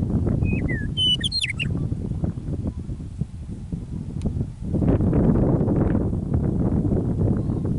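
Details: Meadowlark singing in prairie near Michichi Dam, Drumheller, Alberta, Canada, on an early spring evening after winter: a short burst of clear whistles and a jumbled warble near the start, then strong wind rumble fills the rest.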